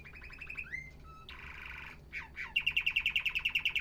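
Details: Canary song, said to encourage males to sing: fast trill, a rising whistle, a buzzy rattle, two falling slurs, then a steady rapid trill of evenly repeated notes.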